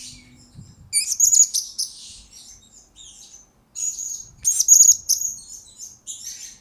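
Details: Blue-crowned hanging parrot used as a tutor recording for training birds: high ringing chirps and sharp squeaks in uneven phrases, with quieter stretches between the louder bursts.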